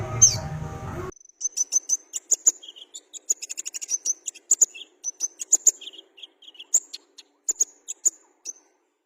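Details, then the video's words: Olive-backed sunbird kept as a fighter songbird, singing a fast, dense series of high, sharp chips and short thin whistles, with brief trills and buzzy notes, after a short burst of low background noise at the start. "KONIN FIGHTER DEWA BUJANA"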